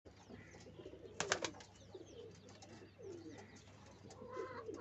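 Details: Pigeons during nest making, soft low cooing rolling in the background alongside clicks and brief high chirps from other birds, with a sharp burst of tapping noise around the first second.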